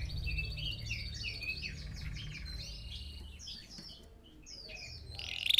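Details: Red factor canary singing, played for training other birds to sing: a soft, quiet run of varied chirps and short whistled notes with a faint low hum beneath.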